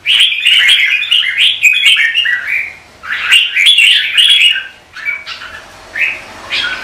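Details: Competitive song of a red-whiskered bulbul during morning practice, used to spur birds to sing: two long bursts of rich warbling chatter separated by a short gap, followed by scattered softer notes.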